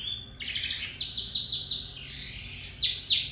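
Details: Lizard canary in full song: a bright trill, then a run of quick, sharp repeated notes, followed by a sustained high rolling phrase and more clipped notes, over a steady background hiss.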